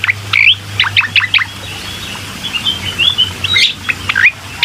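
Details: Bar-winged prinia singing as a lure for a bird slow to sing: a quick burst of high chirps, a thin drawn-out wavering whistle, then a few more sharp notes, with a low hum underneath.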